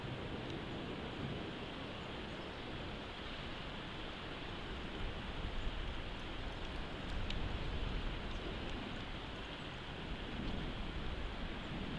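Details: Steady broadband rumble of wind and distant traffic-like noise throughout, with no animal voice standing out.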